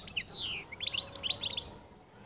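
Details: Distinctive qall-style song from a European goldfinch, loud and close: a rapid, tinkling string of high twittering notes mixing sweeping slurs and quick chirps, ending on a sustained bright tone.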